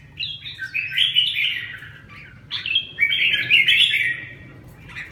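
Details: A red-whiskered bulbul kept by its owner and being brought back to singing form delivers two lively bursts of bubbling, slurred whistles and trills, separated by a brief pause, low hum underneath.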